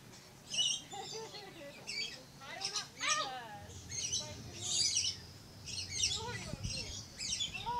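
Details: Red-collared lorikeet giving harsh, high screeching bursts at irregular intervals, mixed with lower chattering, warbled notes throughout.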